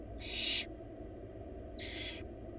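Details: Wild barn owl young, four chicks in a nest box receiving a big rabbit from their mother: two loud, harsh hissing screeches about half a second long, over a second apart, with steady background hum.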